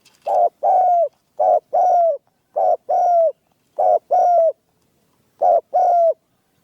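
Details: Trained spotted dove, a bird kept for dove hunting, cooing in two-part phrases: a short burst then a longer, slightly falling coo, repeated about every 1.3 seconds. Background is quiet.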